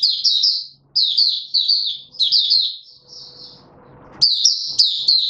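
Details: Caged male white-eye brought into singing form, opening song on 31 December 2021: quick high chattering phrases in close succession, a longer sustained twitter fading out, a lull with soft low rustle, then loud warbling resumes.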